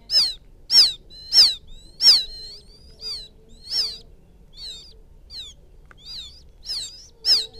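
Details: Quail chick calling for its mother, used as a field quail lure sound: high, thin peeps that sweep downward, about ten notes in under eight seconds, loud at first and then softer and more drawn out, over a quiet background.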